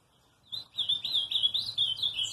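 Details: After a brief quiet start, an ultramarine grosbeak bursts into a rich, fast warbling song of looping whistled notes that carries to the end.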